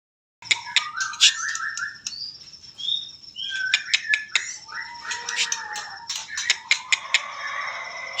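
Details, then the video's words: White-rumped shama singing in trotol style: sharp rapid clicks and ticks mixed with short clear whistles and trilled phrases at varying pitches, continuous after a brief silent start. "trotol murai batu"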